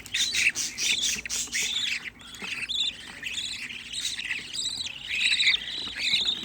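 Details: Sixteen budgerigar chicks kept together at home by a hobby breeder, chirping and squawking in a dense overlapping chorus of harsh, buzzy calls throughout, with a woman talking softly nearby.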